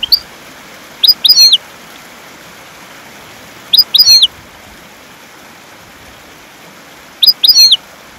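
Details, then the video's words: European goldfinch song for training caged birds to sing: three short bursts of bright, high twittered notes, each a quick cluster of two or three chirps, separated by several seconds of quiet hiss. "تغريد طائر الحسون"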